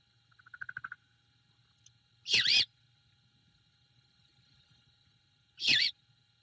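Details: Nest cam at Savannah, evening of 21 February 2022: a wild female great horned owl carries a rat delivered by her mate to the owlet, yipping and yeeping. Rapid ticking pulses come first, then two raspy, screechy bursts three seconds apart over a low hum.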